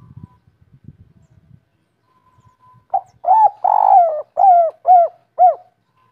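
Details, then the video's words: Local Indonesian spotted dove of the 'kuk 3' type, after some low rustling, delivering a cooing phrase: an opening note, a long rolling coo, then four short downslurred coos evenly spaced. "Derkuku kuk 3 lokal gacor ngamuk bikin ribut suara empuk langka"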